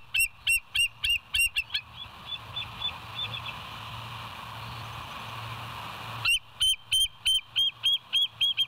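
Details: Bald eagles filmed at West End on a live cam, 07/09/2023, 06:24. A fast burst of high piping chirps fades to softer notes, then a lull with hum, then another loud, rapid series of shrill chips.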